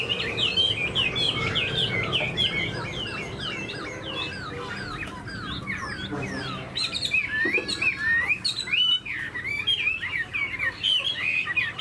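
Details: Chinese hwamei, tame and caged, fanning its tail while displaying its wings like an eagle. Lively whistled phrases of swooping notes come in bursts, with a softer stretch midway, then a loud return of quick rising and falling whistles.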